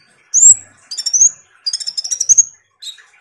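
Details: Kolibri ninja (Van Hasselt's sunbird), a vigorously singing bird used as a lure to prompt lazy birds to sing. Thin, very high sweeping whistles and sharp ticking notes arrive in short bursts separated by brief pauses.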